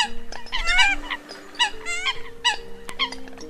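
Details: Eurasian coot hunting lure from the early 2020 migration season: bursts of squeaky, wavering, nasal calls from several birds, separated by short gaps, with steady electronic-like tones beneath.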